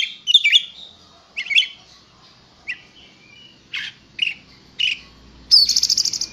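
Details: Contest-ready kacer (oriental magpie-robin) trained with master songs: separated whistled and scratchy notes at irregular intervals, closing with a fast buzzy rattling trill.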